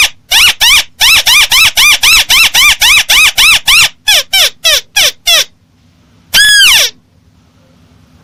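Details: Crake lure call: a long rapid series of evenly spaced, loud arched notes that slows and stops, then silence and a single long swooping note.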